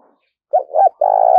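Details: Single phrase from a captive decoy spotted dove, a four-note caller trained to lure wild doves: two short, wavering cooing notes followed by a steady, sustained coo that runs to the end.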